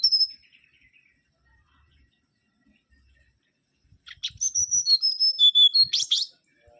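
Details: Mangrove whistler giving a high whistled note, a few seconds of near silence, then a falling series of clear whistled notes ending in a sharp burst.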